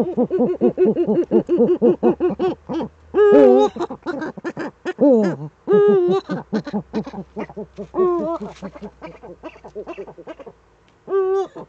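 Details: Two Eurasian eagle-owls together in the nest hollow, webcam, 6 March 2013; dense rapid chattering notes, then several loud wavering wails mixed with more short staccato calls.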